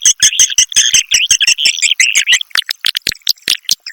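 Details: Swiftlets in a 'Triple X Vietnam' lure recording used to attract swiftlets: dense high chattering twitter with rapid clicks for over two seconds, then separate sharp chirps and clicks about twice a second.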